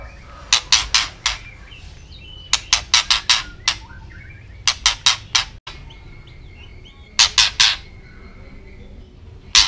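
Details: White-rumped shama giving its ketrekan call, used as a training recording to make other birds agitated; harsh, buzzy rasping notes in tight bursts of three to five, repeated about every two seconds, with a faint whistle in the background.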